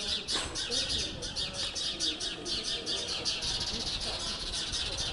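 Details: Sparrows at a nest box in Jette, Brussels, on 5 May 2020 give harsh, rapid chirping alarm calls together as a magpie tries to raid the nest, a dense repeated chatter about every second, with a man speaking faintly.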